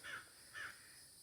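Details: A crow or raven, unseen, in a nature preserve gives two short, harsh caws about half a second apart over a faint steady outdoor hiss.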